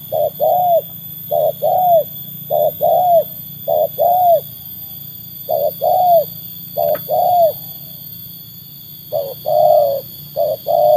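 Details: Spotted dove trained and tested against wild doves, calling in rounded low coos, each pair a brief note then a fuller arched one, a series that pauses briefly before resuming, over low background hum.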